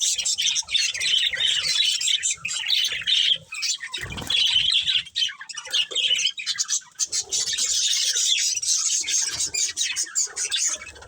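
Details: Chattering budgerigar pair from a breeding setup: fast, rasping chirps and whistled squeaks in long bursts, broken by a loud low bump around four seconds and a few brief pauses.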